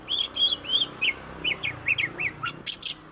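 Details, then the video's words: Kacer, the oriental magpie-robin, giving a string of short rising-falling whistled notes about every quarter second, then two high buzzy notes at the end, against background hiss. "KICAU BURUNG KACER YANG MERDU || MAGPIE ROBIN VOICE"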